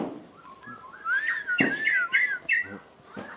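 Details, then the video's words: White-rumped shama in breeding condition singing a run of clear, wavering whistles that rise and fall, with a few sharper notes over a constant background hiss. "Suara burung murai birahi"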